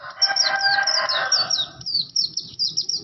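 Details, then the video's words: Oriental white-eye of the Bustomi/Buxto type singing an unusual, vigorous song: rapid high downslurred chirps repeated several times a second, overlapped for the first half by a loud lower harmonic, nasal sound. "SUARA ANEH BURUNG PLECI BUSTOMI/BUXTO GACOR"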